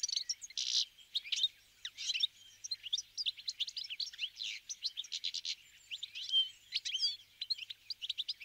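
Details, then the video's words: Wintering Brambling flock feeding on sunflower seeds at a bird feeder, giving a dense, continuous chatter of high, sharp chirps and short twittering notes from many birds at once, with no other clear sounds. "Pěnkava jikavec, Brambling, Bergfink, Keep, Вьюрок, Jer"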